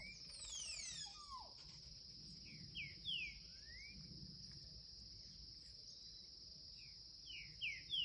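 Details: Young Green-winged saltator singing the curricutil song style: short downslurred whistled notes in small clusters, the phrase repeating after about five seconds, over a steady high insect drone, with other thin bird calls near the start.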